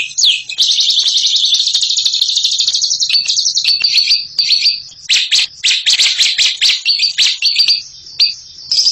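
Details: Bird in ngekek mode: a sustained shrill chattering trill for about three seconds, followed by choppy bursts of scratchy, squeaky notes and short trills.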